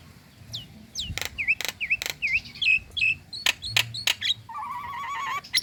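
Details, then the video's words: Female Nias hill myna calling a male with clear whistled slurs and down-up notes between sharp clicks, closing with a rolling low warble. "Kicau Jalak Nias Betina Memanggil Jantan"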